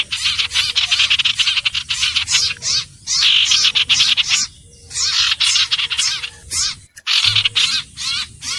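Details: Common iora song: dense bursts of high, scratchy chattering notes packed tightly together, broken by short pauses of about half a second, with a steady low background hum throughout.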